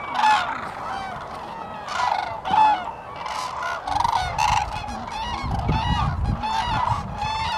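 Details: Common cranes in April 2017 at Lake Hornborgasjon, Sweden: loud overlapping bugles from a large gathering, with a low rumbling undertone in the second half.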